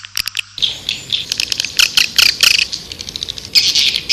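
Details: Lure call of the white-nest swiftlet for attracting swiftlets: a couple of sharp clicks, then rough high chirping twitters in uneven bursts against a hissy background.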